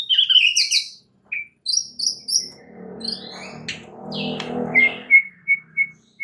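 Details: White-rumped shama song meant to provoke other shamas into singing: clear high whistled phrases and short buzzy notes, a low rumbling noise through the middle, ending with a series of brief repeated whistles.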